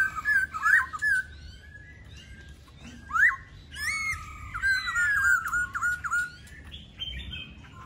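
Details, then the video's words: Laughingthrush in full song, giving varied, ringing whistled phrases with quick upslurs, wavering trills and sliding notes, broken by short pauses, across several seconds. "Khướu Hót"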